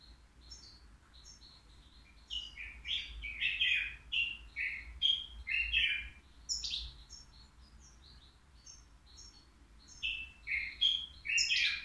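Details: A caged European goldfinch aged three, offered at the Al-Qurai'a bird market as an error-free singer, pours out long runs of chattering, tinkling twitters mixed with buzzy notes, with a brief lull midway.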